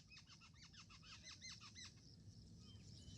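A black francolin gives a quick run of about ten sharp, chirping notes over roughly two seconds, then a few faint whistles, over a low rumbling background.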